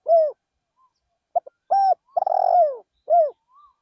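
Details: Spotted dove kept as a decoy, singing in a rice field. A coo, then a single full phrase: two soft taps, a round coo, a long rasping coo sliding down, and a last falling coo, followed by a faint trailing note.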